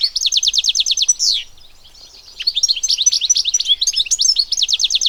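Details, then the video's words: Wild European goldfinch song: a rapid rattling series of sharp chirps, then a drawn-out buzzy note, a short quiet pause, and more lively twittering and jingling phrases in a clean recording. "صوت الحسون حسون ذهبي عروس التركمان طقطق شوك الحسون صافي من الطبيعة European goldfinch sound"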